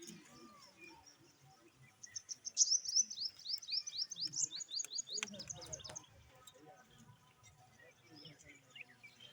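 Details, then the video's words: Parrot chirping, a rapid run of sharp, high chirps repeated several times a second in a burst of about three seconds, over faint low background noise. "parrot chirping sound"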